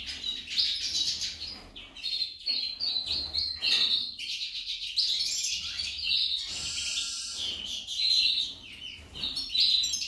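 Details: A female goldfinch keeps up a long, varied twittering song of high chirps, trills and buzzy phrases, with short breaks between bursts.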